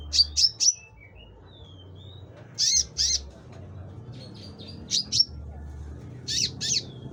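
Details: Konin in lively song: short clusters of two or three piercing, high chirped notes, with a thin descending whistle between groups, against a low mechanical hum.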